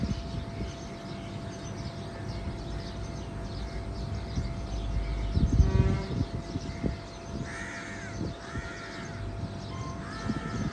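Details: Birds on a morning in Karachi: several harsh, hoarse cawing calls come in the second half, spaced about a second apart, over a steady rumble of traffic and city noise.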